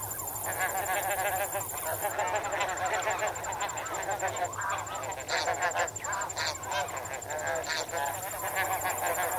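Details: Snow geese swimming and wading as a flock, captured at medium close range: a dense, continuous chatter of overlapping nasal honks from many birds, backed by a steady, pulsing high trill of crickets.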